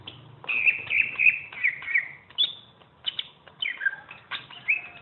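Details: Greater green leafbird, a champion tutor bird, delivers a chattering string of trilled notes followed by downslurred whistles and bright chips, phrases separated by short pauses.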